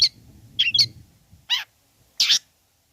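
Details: Long-tailed shrike song used to provoke other shrikes into calling: a few harsh rasping notes and short squeaky phrases separated by pauses, with faint low hum beneath.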